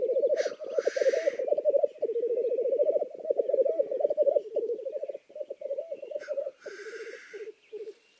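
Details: Black grouse from Lithuania: rolling, gurgling bubbling notes run continuously, then break into shorter bursts, interrupted twice by harsh, explosive hissing sneezes.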